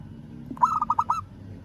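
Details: Calling a rival, a local zebra dove gives one brisk phrase of five or six rolling, throaty coo notes at mid pitch, over a low murmur of background noise.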